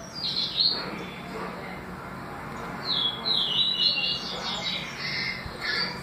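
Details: Double-collared seedeater, with songs in the tui tui and deputado styles: two bursts of high, thin twittering notes separated by a quiet gap, set against a constant low hum.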